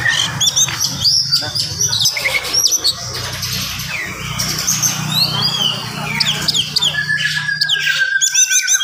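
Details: Morning song of an oriental magpie-robin, quick and dense, to provoke other magpie-robins: a long stream of sliding whistles and sharp chirps, ending with a drawn-out level whistle, over a faint low hum.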